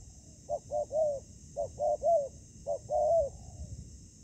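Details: Spotted dove calling at a ground trap where a decoy bird meets fierce wild doves. Three phrases of low coos follow one another, each with quick short hoots leading into a longer slurred note, with a faint trailing tail after the last.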